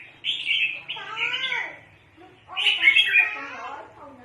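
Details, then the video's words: Red-whiskered bulbul kept as a decoy bird for trapping, calling a lot: two bursts of bright, warbled, chattering notes, the second louder and richer, separated by a short pause, with faint low murmuring beneath. "Chim chào mào mới diab quaj heev li os"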